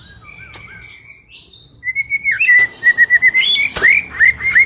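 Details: Oriental magpie-robin singing: after a soft opening, a bright run of clear whistled notes repeated quickly, about three per second, with rising and falling slurred ends and a few higher squeaky notes.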